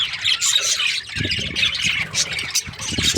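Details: Budgerigars in breeding season chirping in bursts of high twittering chatter, with low rumbling knocks and handling noise beneath.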